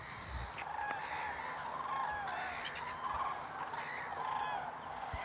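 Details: Common cranes dancing at Hornborgasjön, Västergötland, in April 2009 trumpet in loud, rolling, slightly rising calls, several overlapping birds calling about once a second over a steady background hiss.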